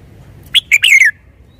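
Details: Clear, loud bulbul phrase: a sharp upslurred note, a short whistle, then a longer warbled note falling in pitch. The singer is a red-whiskered bulbul, over a quiet low hum.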